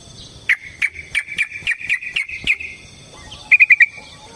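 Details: Yellow-vented bulbul fighting song to provoke a rival: a steady series of eight clear, evenly spaced chirps, then after a pause a quick burst of four bright notes.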